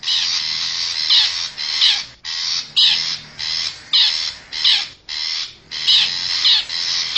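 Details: Wild long-tailed shrike of the forest, recorded as a lure for wild birds: loud, grating squawks in uneven bursts of about half a second, with two clear breaks.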